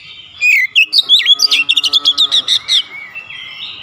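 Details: Kacer or Oriental magpie-robin giving its 'nembak' song, unloading its repertoire: a few swooping whistles lead into a quick run of evenly repeated sharp notes, ending in a soft whistle.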